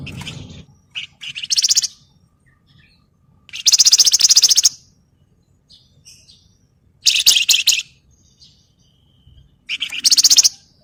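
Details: Flamboyan in lively gacor song meant to train and provoke other birds: repeated loud bursts of dense, scratchy rattling chatter, each about a second long, separated by brief pauses with faint softer notes.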